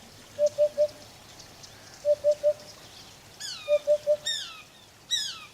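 A Eurasian hoopoe gives soft, low hollow hoots in threes, oop-oop-oop, repeated about every two seconds, while another bird adds high, falling sweeping whistles.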